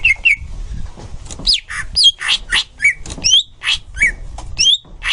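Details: Tutor song of a green leafbird for training young birds: quick, varied phrases mixing upslurred and downslurred whistles with harsh chattering notes, loud bursts following each other roughly every half second.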